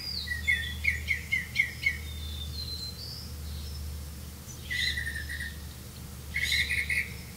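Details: Grey-capped greenfinch catching crickets to feed its chick; a quick run of five clipped chirps, then fuller buzzy calls later, over a constant low hum.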